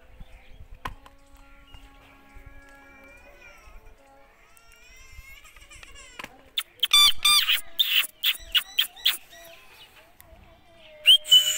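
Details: A pet Indian ringneck (rose-ringed) parakeet in its natural voice gives a quick run of loud, harsh screeches, about four a second, then one more shriek after a pause, with faint steady tones humming underneath beforehand.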